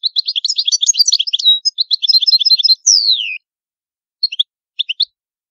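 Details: European goldfinch giving the old Palermo Sicilian song for training young birds: a long rapid chattering, tinkling phrase ending in a steeply descending whistle, then a few soft doubled chirps.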